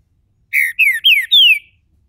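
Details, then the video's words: Caged Green-winged Saltator in Brazil warming up into its main song, delivering four loud, clean whistled notes, a flat one and then three falling slurs, each set slightly higher, in near silence. "trinca ferro MULEKE, abrindo canto... canto principal!!!"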